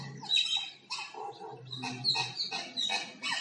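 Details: Common myna singing with different sounds: loud repeated bursts of harsh, squawky chatter mixed with brief whistled notes, phrases roughly every half second, steady low hum beneath.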